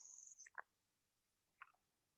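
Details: A faint Red-winged Blackbird calls from a wetland at Shaw Nature Reserve, Missouri, on a summer day (June 25, 2020): a thin, high, slightly falling whistle, then a few short, lower notes a second later, in otherwise quiet surroundings.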